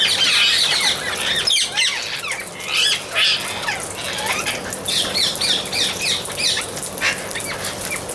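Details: Amazon parrots squawking: coarse, raspy calls repeated rapidly and irregularly, several birds overlapping, loudest at the start and in bursts near the middle.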